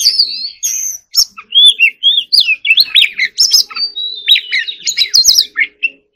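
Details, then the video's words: Oriental magpie-robin in vigorous warbling song: a rapid string of varied whistled notes, rising and falling slurs and short buzzy bursts, mostly high-pitched, with brief pauses between phrases and a faint low hum beneath. "choè than hót líu || Kacer Gacor"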